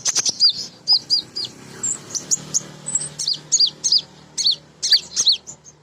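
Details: Lively twittering from a female kolibri ninja sunbird, sung as a lure for newly kept birds: rapid high chirps and short downslurred notes, repeated steadily in quick clusters throughout.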